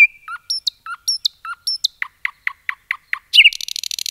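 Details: Forest-singing common nightingale repeating a two-part whistled phrase several times, then a series of sharp descending notes, closing with a dense buzzy trill; quiet surroundings.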